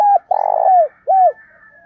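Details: Spotted dove in 'thổ pha đồng' voice style, cooing to incite rivals, used in training newly caught birds: a falling coo, a long rough buzzy coo sliding down, then a clear arched coo with soft trailing murmur.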